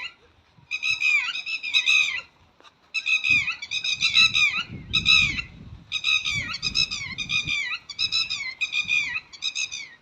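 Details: Red-wattled lapwing calling in loud, sharp, ringing phrases of three or four clipped notes, given in bursts with short pauses between them. Faint low rumbling lies underneath.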